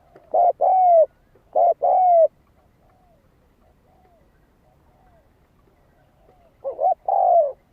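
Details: Spotted dove lure song: two quick two-part coos, a brief note then a longer falling one, a pause with faint distant coos, then a third matching phrase.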